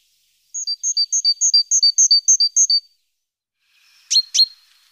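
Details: Nest-box webcam, 14 April, morning: a great tit near the nest delivers a long, even series of about nine high paired notes, followed by two sharp descending notes.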